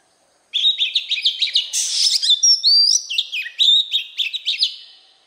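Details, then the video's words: Forest-voiced Oriental magpie-robin song: after a short pause, a continuous five-second run of varied clear whistles, buzzy notes and rapid chattering trills with sharp up-and-down slurs, loud and close. "Chòe Than hót Giọng chuẩn | chăm sóc chim hót | Chích Choè Than giọng rừng kích bổi"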